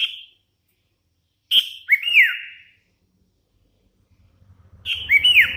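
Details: Sooty-headed bulbul, a hand-raised young bird in strong song, whistling bright notes that bend downward in quick pairs, a pause, then another burst of looping whistles over faint low noise.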